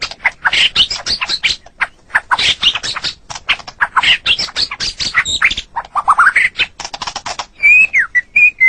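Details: Loud white-rumped shama song meant for training caged songbirds, made of dense harsh chattering bursts and buzzy notes with a rising sweep, then several clear high whistles at the close.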